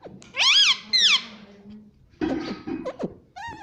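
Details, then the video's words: Talking parrot repeating "Mummy": two loud, bright, arched syllables in quick succession, then rougher, lower chattering sounds and a last short rising squeak indoors. "Mummy Bolne Wala Tota | Pattu Parrot Talking Mummy - Papa"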